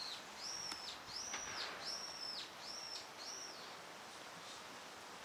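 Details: Eurasian wigeon in a park pond in Chiba, Japan, in March, a wintering visitor, giving five high, clear whistles that drop off at the end, roughly one every 0.7 seconds, over steady background hiss.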